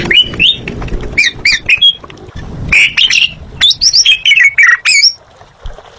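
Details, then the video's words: Lively gacor singing from an Asian pied starling, or jalak suren: rapid, varied phrases of rasping squawks and bright whistles that slide up and down, packed closely together before ending in a last falling whistle. "Suara Burung Jalak Suren Gacor"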